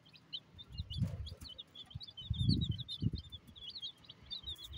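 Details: Chicks feeding: a steady stream of short, high peeping chirps from several birds, overlaid by dull low thumps of pecking at food.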